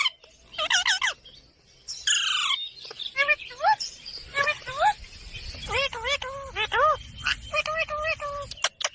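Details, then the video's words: Green pet parrot talking: a run of short harmonic, bending syllables, some rising then dropping, delivered in quick irregular bursts with brief pauses; a faint steady high tone in the background. "Parrot Talking video| Green Parrots moments"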